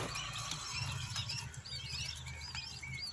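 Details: Quail chicks warming up, a cluster of high, wavering peeps and short rising chirps from several chicks, steady low hum underneath.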